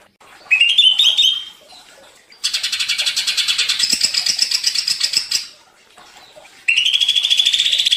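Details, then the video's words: Greater green leafbird, provoked into agitated, energetic song: a bright rising high ringing phrase, then a long burst of rapid chattering notes, and another shrill run to finish. "Cucak Ijo menjadi emosi & gacor ngentrok"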